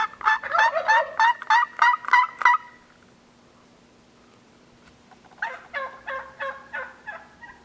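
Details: Wild Gould's turkeys on Mt. Lemmon, a Sky Island range in southeastern Arizona, recorded during annual surveys, give two bursts of rapid, rattling, gobble-like calls, about eight quick notes each, separated by a pause over a steady low hum.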